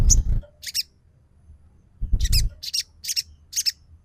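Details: Crimson sunbird (sogon), in a lure recording meant to stir a bird into song: a sharp chirp with low thuds, a pause, then a run of four or five high, rasping chirp notes evenly spaced about half a second apart.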